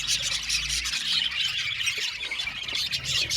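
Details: Budgerigar colony in an aviary fills a short stretch with busy overlapping chirps and squeals, high and steady, plus a brief low thump at the start.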